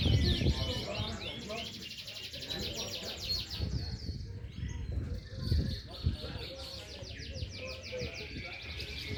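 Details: Kalitan-class canaries singing at a busy contest in Condongcatur, Sleman, Jogja, on Sunday 30 January 2022; fast repeated high chirps and buzzy trilled runs fill the clip, with people talking and crowd rumble underneath.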